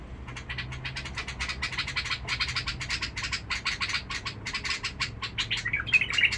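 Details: Harsh-voiced Badrawi bulbul from Basra, Iraq: a fast, scratchy chatter of rasping notes in uneven bursts, briefly ending in a brighter twittering phrase, over a faint low hum.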